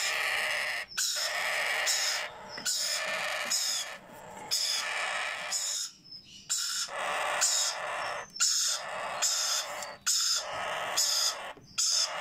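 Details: Hand-fed Sun conure and Yellow Ringneck parakeet chicks: loud, grating feeding screeches, some drawn out for over a second, broken by short gaps, with thin whistled notes slipping between the harsh calls.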